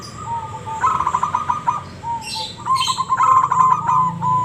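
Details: Zebra dove of a local strain giving its ngebrem song, fast pulsed cooing trills that run almost without a break, with brief plain notes between phrases and scratchy high noises overhead.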